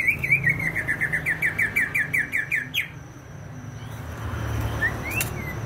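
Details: Greater green leafbird from Banyuwangi, East Java: a steady string of about fifteen quick slurred whistled notes over nearly three seconds, then quiet with distant engine rumble and a couple of isolated notes.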